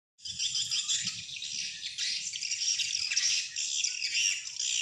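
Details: Swiftlet calls used as playback to lure wild swiftlets into a swiftlet house: a dense, continuous wash of high, buzzy chattering and twittering from many birds, with no pauses.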